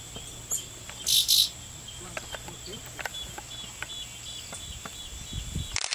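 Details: A Golden-sided Euphonia (Euphonia cayennensis) in Manaus, Brazil, on 14 August 2014 gives two quick, harsh, buzzy calls, its usual call on arriving at a fruiting fig tree to feed, over a steady high insect whine.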